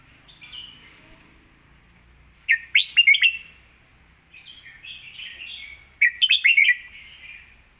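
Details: Clear, well-phrased red-whiskered bulbul song: loud clusters of quick rising and falling whistles around three and six seconds, linked by a softer rolling warble, in a quiet setting.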